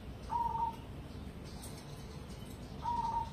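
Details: Cemani zebra dove of competition grade producing two brief, clear cooing notes about two and a half seconds apart, each a short level mid-pitched coo, with low background rumble between them.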